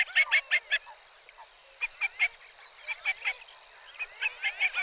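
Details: Common pochard (Aythya ferina), call.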